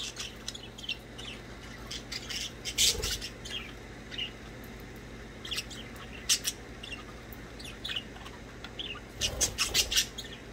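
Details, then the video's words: Pet budgerigars chirping as they play indoors: scattered brief scratchy chirps with a few louder clicky bursts around three, six and nine to ten seconds, a low steady hum underneath. "Budgies chirping and playing."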